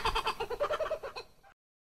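Laughing Kookaburra giving a fast, chuckling run of about a dozen hoarse notes, close to ten a second, that fades out after a second and a half.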